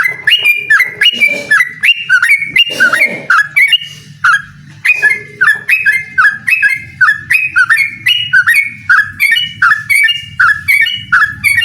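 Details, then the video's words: Yellow-vented bulbul in full voice, calling out a rival to a singing contest: long series of liquid, chuckling whistled phrases with sharp up-and-down flicks, a brief pause midway, then steady repetition; low background hum. "suara burung trucukan gacor mengajak lawan adu ropel"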